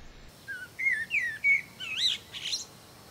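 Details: A male common blackbird sings in a forest in early spring, near Neuchâtel, to repel rivals and attract females: a short phrase of mellow, fluted whistles that rise and fall, ending in a higher, scratchy twitter. The background is quiet.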